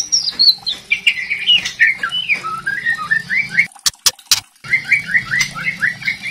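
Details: White-rumped shama song with rattling variation, a lure to draw young spotted shamas into full song: a fast run of short whistled notes dropping and rising, broken by a few sharp clicks, then the whistled phrases return.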